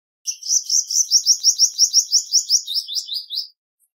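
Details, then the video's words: Male Palestine sunbird (Cinnyris osea) singing a fast, high, thin trill of about fifteen bright chirping notes over three seconds, slightly wavering in pitch, with no other sounds. "Suimanga Palestino Canto! Suimanga Palestino Llamado! Voz! - Palestine Sunbird Song"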